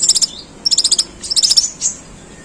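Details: Long-tailed shrike with harsh imitated sparrow chatter: three short rapid bursts of very high, rattling chips, each lasting under half a second, followed by a single thin note.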